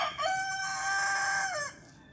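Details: A rooster's crow, already under way, holds a loud, level, buzzy note for well over a second before dropping off abruptly into faint background noise.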